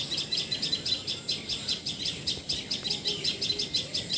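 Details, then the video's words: Repeated high, sharp chirping notes from a common tailorbird (Assamese patxhia sorai, tiposi sorai) in Assam, India, delivered in a steady run of roughly three notes per second over faint background noise. "Call Of Common Tailor Bird!"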